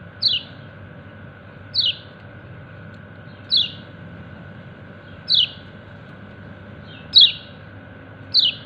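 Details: Kecial kuning white-eye calling to its companions with six bright, downslurred chips spaced roughly every one and a half to two seconds; a constant low droning hum runs underneath.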